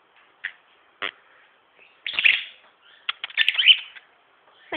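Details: A male pied cockatiel pet chatters as he habitually does, in scratchy, bright bursts and short chirps, with two louder warbled runs in the middle. No other sounds intrude.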